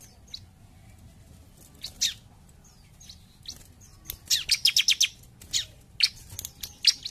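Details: Bar-winged prinia singing in 'gacor jump shoot' style: quiet opening with a few isolated high chips, then a brisk burst of rapid repeated piercing notes and more sharp down-slurred chips.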